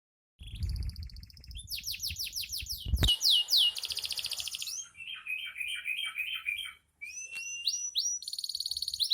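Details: Canary in breeding condition singing continuously; rapid repeated tours of high sweeping notes, fast rattling trills and a lower rolling phrase, with low thumping noise during the first seconds and a brief pause near seven seconds.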